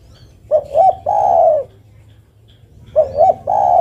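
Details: Spotted dove female calling for a male, giving two mellow three-part coos, each a quick pair of short notes and then a long sustained coo, with a pause of about a second between them.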